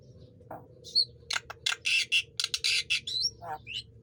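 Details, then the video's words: Javan myna song meant to coax quiet birds into singing: a quick series of loud, buzzy squawks and harsh bursts, broken by a few high whistled slurs. "Kicau jalak kebo"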